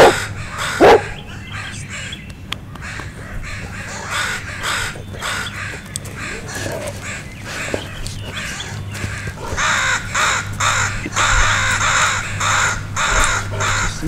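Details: Mobbing crows, parents alarmed by a dog near two fledglings learning to fly, with other crows joining; rough caws come in quick overlapping runs, growing denser toward the end over a low rumbling background.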